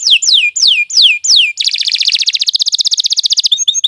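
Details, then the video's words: Canary singing a long nonstop song used as a tutor recording for training beginner songbirds: five whistled notes sweeping sharply downward in quick succession, then a fast, even buzzy trill for two seconds, ending in short chirps. "Kicau Burung Kenari 86 II GACOR PANJANG Cocok untuk Masteran"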